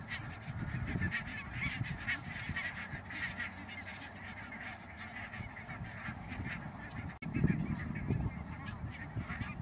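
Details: Barnacle geese (Branta leucopsis) in Schouwen-Duiveland and Goeree-Overflakkee, Netherlands, 16 March 2009, keep up a dense chorus of short, yapping barks, many calling over one another, with a low rumble underneath.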